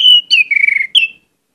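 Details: An orange-headed thrush sings a rich, varied phrase: a level whistle, then a falling slur, a quick trilled warble and a final bright downslurred note, all within about a second in a quiet setting.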